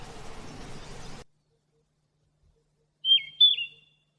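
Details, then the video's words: Yellow-rumped flycatcher from Bogor: after a second of background noise that cuts off, a short clear phrase of two whistled notes, each dropping at the end, in a quiet setting. "Yellow Rumped Flycatcher"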